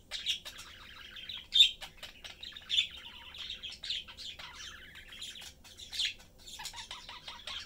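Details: Pet budgerigars, father, mother and young one, chattering together while eating. Long, fast, continuous warble of scratchy notes and clicks, with occasional sharp squeaks rising above it.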